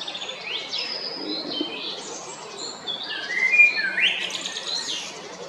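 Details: Male Eurasian blackbird singing at Jarun in Zagreb, Croatia, on 22 April 2021: varied, fluty warbled phrases with quick rising slurs and high twittery flourishes, steady background hum.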